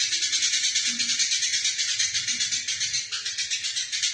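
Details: Fighting Eurasian tree sparrow, used to train other songbirds: continuous loud, scratchy chattering of rapid, regularly pulsed notes throughout with no pause.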